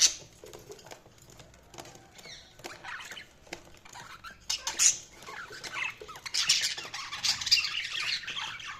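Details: Chirping budgies: a steady stream of high, scratchy twitters and squeaks that grows busier and louder toward the end.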